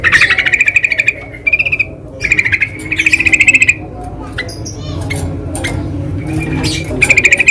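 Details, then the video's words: Sooty-headed bulbul singing in the wild: bursts of fast, rattling pulsed notes around one pitch, each lasting about a second, separated by short gaps, over a low background rumble. "SUARA BURUNG TRUCUKAN DI ALAM LIAR"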